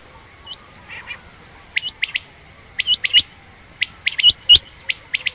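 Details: Female common or rain quail giving clipped, high, slightly rising notes in quick pairs and triplets, growing busier toward the end, with a few softer lower chirps early on.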